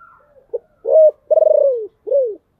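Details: Deep-voiced decoy spotted dove giving its luring call: a clipped opening note, a firm hoot, a long rattling pulsed coo sliding downward, then an arched falling note, in a quiet setting.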